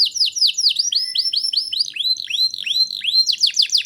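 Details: Full-singing canary used to prompt young birds to start singing. Bright, high arched notes roll in quick succession, slow to separate looping whistles, then speed up into a dense trill.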